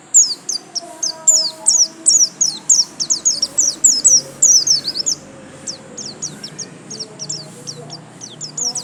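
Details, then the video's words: Caged white-eye in full song: a fast run of piercing high chirps repeated several times a second for about five seconds, then sparser, quieter chirps continuing to the end. "Pleci Gacor lasroll"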